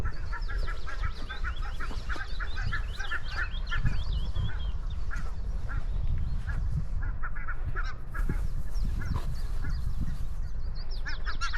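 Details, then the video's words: Geese in open grassland giving dense runs of nasal honks in a steady clamor, with thin higher chirps from small birds above and a constant low rumble of wind and footsteps. "Grassland Walk with Goose Sounds"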